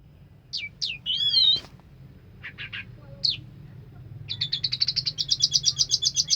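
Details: Orange-headed thrush singing 'sampai teler' (until entranced): short sharp whistled notes and a looping slurred whistle, then a fast buzzy run of rapid repeated high notes that builds in volume toward the end.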